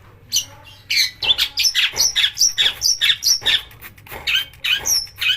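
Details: Long-tailed shrike song played to excite shrikes into singing. After a quiet start, a steady series of grating notes, each capped by a thin high whistle, repeats rapidly about two to three per second.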